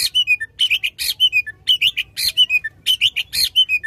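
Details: Oriental magpie-robin singing loudly to stimulate a magpie-robin that has stopped singing; a phrase of harsh bursts ending in falling whistled notes, repeated about three times in four seconds.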